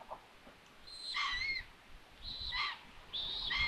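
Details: A Common Buzzard at a nest in Tiszalök, Hungary, on 21 June 2022, as the mother delivers food and finds the nest empty: three high, drawn-out mewing cries, each slurring slightly down, about one per second, over a faint low rumble.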